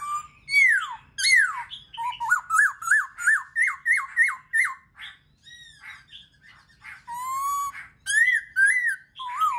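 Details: Black-throated laughingthrush singing, played to get other birds singing: loud downward-sweeping whistles, a quick string of about eight repeated hooked notes, a pause, then smooth rising and falling whistles.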